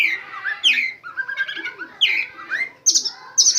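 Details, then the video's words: Oriental magpie-robin in training song packed with mimicked white-rumped shama phrases: varied loud whistles, swoops and buzzy notes, with sharp high whistled bursts near the end. "KACER ISIAN FULL TEMBAKAN MURAI BATU"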